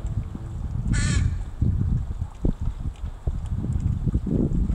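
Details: Crow, a mother teaching her young to forage, recorded 26 July 2019: a single harsh, hoarse caw about one second in, over steady low rumbling background noise and scattered thumps.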